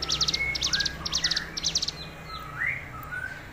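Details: Tame hill prinia singing actively: four quick bursts of high, buzzy clicking trills, each about a third of a second long. Softer slurred whistles rising and falling sit lower beneath them. A steady low hum runs through the background.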